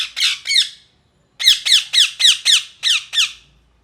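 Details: Parrot calling in a rapid series of harsh, falling screeches, about four per second. A short burst of three comes first, then a brief pause and a longer run of about seven similar screeches. No other sounds.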